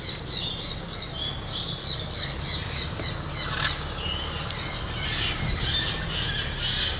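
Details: Morning free flight of macaws: dense, raspy squawks overlapping almost continuously, several birds calling together above a low constant background rumble.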